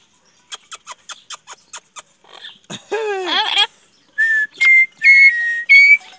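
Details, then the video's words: Coffee-loving pet parrot: a string of sharp clicks, then a short burst of nasal, speech-like chatter, followed by three clear, level whistled notes with pauses between. "PAPAGAIO FALANDO QUER CAFÉ"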